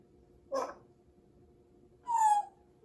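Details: Captive grey parrot indoors: a short noisy squawk, then, after a pause, a clear descending whistle lasting about half a second, over a quiet room hum.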